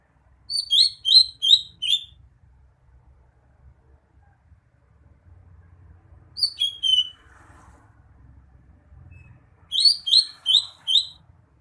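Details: Song of a greater green leafbird: three spaced phrases of crisp, high, downslurred chirps, four or five notes per phrase, with pauses of several seconds between them and a faint low background hum.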